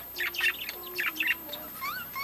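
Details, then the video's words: Budgerigars in a breeding colony giving clusters of bright, high chirps, with a thin sliding whistle and a short rising squeak near the end. "budgies breeding colony"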